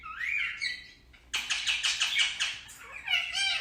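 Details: Indian ringneck parakeet, a pet, talking: a short rising whistled phrase, a pause, then a loud rapid burst of harsh, repeated chattering syllables ending in a bent nasal note.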